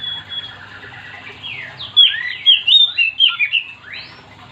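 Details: Oriental magpie-robin singing energetically to spur other magpie-robins into song: faint trilled notes at first, then a loud, rapid series of twisting, swooping whistles ending in a sharp rising note.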